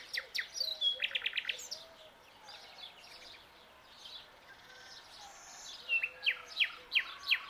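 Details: Young common nightingale at dawn delivers clicking notes and a rapid buzzing trill, pauses in a quieter stretch, then ends with loud, evenly spaced, sharply descending whistled notes repeated about twice a second.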